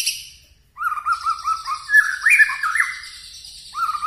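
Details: White-rumped shama singing: after a quiet start, a string of short whistled notes repeated quickly, rising into richer warbled phrases, then the repeated whistles return at the end.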